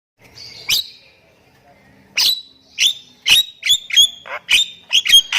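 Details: Nias hill myna singing, played to prompt silent mynas to start singing; loud series of sharp, explosive whistled notes with sweeping harmonics, first isolated, then about eight in quick irregular succession.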